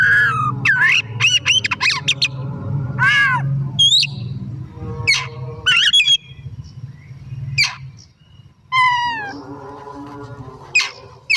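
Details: Kept Oriental magpie-robin singing actively in the afternoon, meant to prompt other birds to sing. Varied loud whistles, squeaky notes and rising slurs arrive in quick bursts over a steady low hum.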